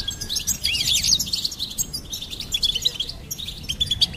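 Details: Short goldfinch phrase: a burst of swirling, rising twitters, then a run of quick repeated high chirps.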